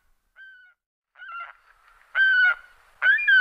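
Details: Adult saker falcon (Falco cherrug) giving four harsh, nasal, drawn-out calls about half a second each, coming roughly every second and growing louder.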